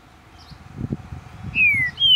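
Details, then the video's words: Captive green-winged saltator in Ribeirão das Neves, Minas Gerais, Brazil, starting its song after a stretch of low rumbling background noise, with two clear, falling whistled notes near the end. "Trinca-ferro cantando muito quente! Abrindo canto!"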